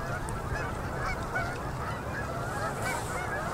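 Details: Canada geese in their fall migration flying in to land on a Manitoba river at sunset, October 2018. Countless honks blend into a continuous clamour over a low rumble.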